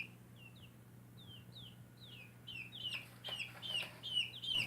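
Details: Young backyard chickens cheeping: soft, high, falling peeps at first, growing louder and denser toward the end as more chicks join, with a low steady hum throughout.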